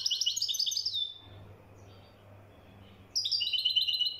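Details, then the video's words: Moroccan goldfinch singing: a high, bright twittering phrase of quick chirps and trills opens, a pause with low background hum follows, then a second sparkling phrase begins near the end. "طائر الحسون المراكشي"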